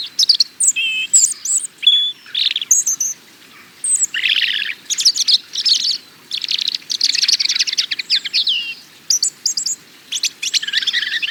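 A European robin sings a run of high, thin, liquid phrases, mixing quick trills and sliding whistles with brief pauses between. No other sounds stand out.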